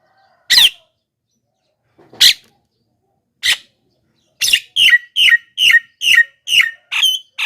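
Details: Javan myna calls used as a lure for wild mynas: three single harsh, buzzy squawks spaced well apart, then a fast run of about eight scratchy notes, each sliding down.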